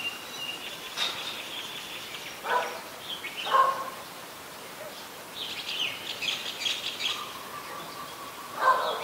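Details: Red-whiskered bulbul, adult, recorded in Ubon Ratchathani, Thailand, on 3 January 2021; short bright chirpy phrases broken by pauses, one louder burst near the end, with other faint bird calls in the background.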